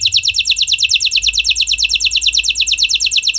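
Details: Canary of F1 type singing a lure song for other canaries: an unbroken, rapid, even trill of high downward notes over a faint low hum.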